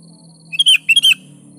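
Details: Sooty-headed bulbul singing in energetic gacor style as a lure for lazy birds: a pair of fast whistled phrases, chirpy starts leading into warbled bright notes, over a faint low hum.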